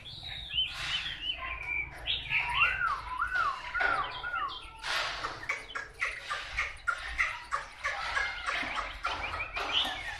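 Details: Chinese hwamei, wild-caught, singing clear rolling whistles that rise and fall in repeated wavy loops, followed by fast, varied chattering and chirped notes with rhythmic loud pulses throughout.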